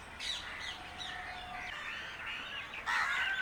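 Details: Indian crow calling: a rapid run of harsh, grating caws with rough wavering bands, several in quick succession, then a louder, brighter burst near the end.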